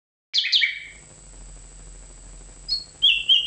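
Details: Nightingale singing: two sharp, high, descending chirped notes, a pause of quiet, then a short high note and a final buzzy trilled phrase.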